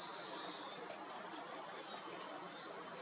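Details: Short-toed treecreeper in coastal woodland at Taramancos beach, Noia, Ría de Noia: a rapid series of about a dozen thin, very high piercing notes, roughly four per second, slightly irregular, over faint background hiss.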